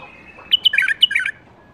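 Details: Captive-bred bulbul from the 2018 breeding season, a young bird: a brief bright phrase of quick chirpy notes, several sharp repeated syllables run together over under a second, over quiet background with faint other birds.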